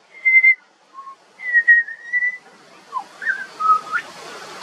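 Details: Juvenile pied butcherbird, an Australian songbird, singing a few slow, clear whistles: a steady high note, a lower short one, then a long level whistle and several gliding notes, with soft background hiss.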